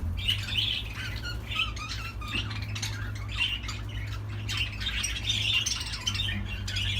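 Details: Budgerigar chattering in scratchy, buzzy bursts with squeaky chirps scattered throughout, set against a noticeable low droning hum and a slightly roomy background.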